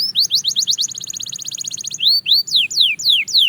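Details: Belgian canary, fast-tempo practice song: a rapid rattling trill of short high notes, then long rising whistles and sweeping downslurred phrases repeated at an even pace.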